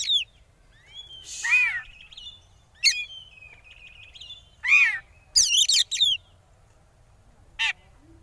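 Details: Oriental magpie-robin song meant to provoke rival birds into singing: scattered loud phrases of sharp, steeply falling whistles and buzzy chattering notes, separated by thin faint whistles, in a quiet setting.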